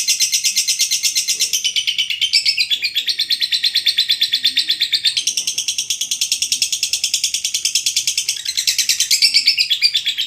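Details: Lovebird 'ngekek panjang' song, used to train other birds: a long, continuous, high-pitched chattering rattle of buzzy notes, about three per second, shifting slightly in pitch, without a pause through the whole stretch.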